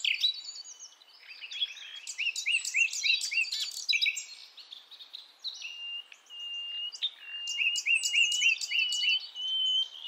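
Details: Wild Nightingale (sikatan londo) from Javan forest, a female calling males, used to lure young birds: rapid high chirps and twittering, then repeated whistled notes and a long steady whistle with sharp ticks, no other sounds.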